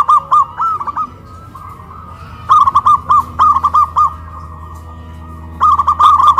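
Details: Local zebra doves from Kuningan, West Java, singing strongly once hoisted on a pole, comparing big and crystal voices. Rapid series of bright, clipped coos come in long runs, with a quieter bird rolling between bursts.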